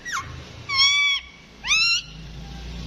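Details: Rose-ringed parakeet giving three drawn-out, harmonic, mew-like calls, each about half a second long. Each call starts with a sharp upward sweep and then holds steady. The calls are spaced by short pauses over a quiet background.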